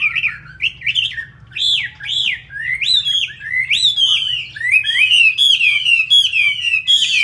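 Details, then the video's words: A caged fighting Chinese hwamei in Hanoi, Vietnam, delivers rapid, loud, rising and falling whistles, phrases tumbling several per second and growing more intense toward the end, with a quiet indoor hum beneath. "Họa Mi thuộc to đấu tốt"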